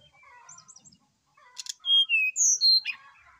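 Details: Lively morning song of a brown-chested jungle flycatcher serving as a singing lure: low, soft warbling, then four or five loud pure whistles dropping stepwise in pitch and a short trailing chatter.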